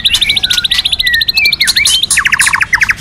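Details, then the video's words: White-rumped shama song from a training recording with a female singing to stimulate males: rapid, varied whistled notes and short slurs, ending in a fast series of repeated buzzy chips. "Luyện Chòe Lửa HÓT NHIỀU GIỌNG HAY + MÁI HÓT Kích Trống"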